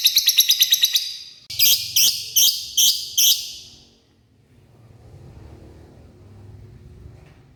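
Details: Male lovebird calling to the female: a fast run of about seven harsh, high chirps, then five louder rasping squawks about half a second apart, followed by quiet low background rumble.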